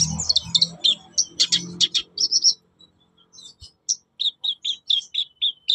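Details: Black-browed reed warbler, a cage bird, giving a rapid chatter of high scratchy notes, pausing briefly, then a series of separate sharp chirps roughly every quarter second.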